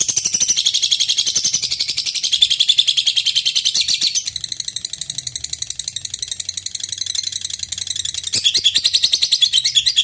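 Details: Lovebird giving a long-duration ngekek song, a sustained trill meant to provoke rival birds into singing; very rapid, high, buzzy chattering pulses run without a break for ten seconds, softening briefly midway before returning at full strength.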